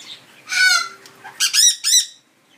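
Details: Pet Amazon parrot warking indoors beside a bathing sun conure: a loud harsh rasping squawk followed by a quick burst of three grating barks.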